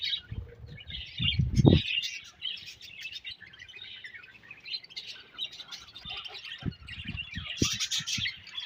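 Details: Budgerigars in a colony keep up a quieter stream of scratchy high chirps and warbles, broken by a loud low bump early on and several sharp clicks toward the end.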